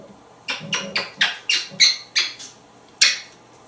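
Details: Male pet African grey parrot hatched in 1997, kept indoors in a home in Texas; seven harsh, raspy squawks in quick succession, then a pause and one more, in a quiet room.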